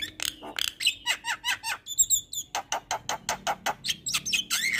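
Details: Javan myna, a training recording played to coax lazy birds into singing: a fast run of short harsh chattering notes, some bent downward, roughly three or four per second, broken by a brief high squeaky phrase.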